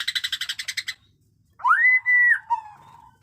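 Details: Bearded white-rumped shama, a caged fighter in new plumage, sings in the batuk koral and muntah beling style. A rapid run of about ten harsh, even pulses is followed by a pause, then a loud, sustained, slurred whistle.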